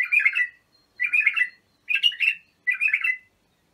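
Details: Bulbul song aimed at training youngsters: four full, warbled phrases in a row, each about half a second long, separated by brief pauses.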